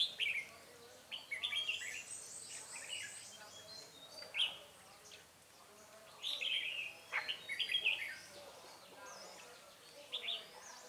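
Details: Red-whiskered bulbul recorded while being trapped with a decoy on 9 March 2020: distant, warbled, bubbly phrases at irregular intervals, set against a hissing outdoor background.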